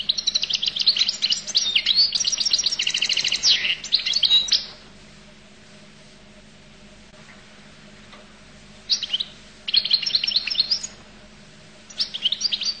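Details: Goldfinch of Collo in about four seconds of rapid, high trilling song, then a long quiet stretch, followed by two shorter twittering bursts near the end.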